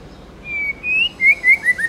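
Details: Tame white-rumped shama singing in wild forest style: a thin drawn-out whistle followed by short bright whistled notes, slurring and rising, over a soft background hiss.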